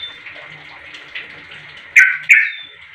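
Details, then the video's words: Sooty-headed bulbul calling to draw other bulbuls into answering: soft scattered chirps, then two loud, bubbly, slurred notes in quick succession near the end, with faint chirping in the background. "Suara Trucuk ini SUPERPOWER Pintar Memangil Trucuk Lain Jadi Bunyi"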